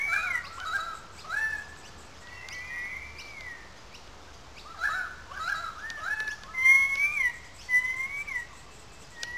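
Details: Currawongs in good form, calling loudly in a gully above wetlands in Sydney Park, Sydney: a run of overlapping whistled, sliding and wavering notes, some rising and falling, repeated through the recording with brief pauses.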